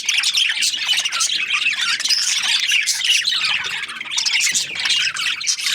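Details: Chirping budgies in a noisy group, warbling and squawking together in a constant high jumble of quick notes and chirrs.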